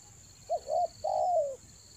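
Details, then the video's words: Decoy spotted dove calling to attract wild birds at Toba in the rainy season: a single phrase of two brief low coos and a long falling coo, over a constant thin high-pitched hum. "TEKUKUR PIKAT RAJA ANGGUK"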